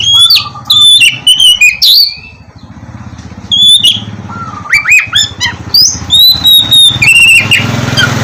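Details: Oriental magpie-robin (kacer) song used as a lure to make lazy birds sing in the morning; piercing whistles and slurred notes come in bursts over a steady low engine rumble, likely a passing motorcycle.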